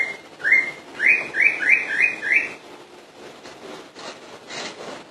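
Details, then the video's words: Common iora song: a run of five bright, rising whistled notes at an even pace in the first half, then only faint hiss and scattered noise. "burung cak ijo full dor"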